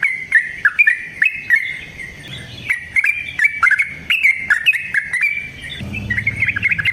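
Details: Yellow-vented bulbul, locally trucukan, in the 'ngalas ropel panjang' style used as a lure call: continuous bubbly, jerky warbles of quick slurred notes, repeated in rolling phrases, with faint low background rumble toward the end.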